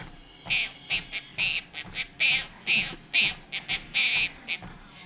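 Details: A pet Quaker parrot, perched on a treadmill while its owner walks, talks and sings with her, chattering in quick bursts of harsh, high notes, about a dozen in five seconds, with faint rumbling background noise.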